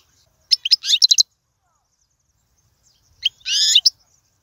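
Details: European goldfinch song offered for teaching young birds, described as royal and error-free: two short bursts of bright, high twittering notes separated by about two seconds of silence.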